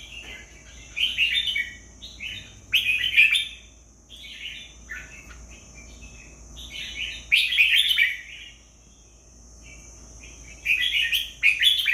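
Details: Red-whiskered bulbul singing short bright warbled phrases in bursts of two or three notes, separated by pauses of a few seconds, over a constant thin high whine in the background.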